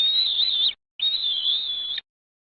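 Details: A bald eagle at a nest in Morrow, Ohio, on a morning in late May, gives two thin, high whistles, each held steadily with a slight waver; the first under a second, the second longer after a short pause.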